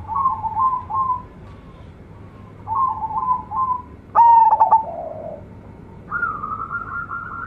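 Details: Young local zebra dove of decoy stock with a clear voice, singing rapid bursts of short cooing notes, then a loud rolling coo sliding lower, and finally a steady higher drawn-out note.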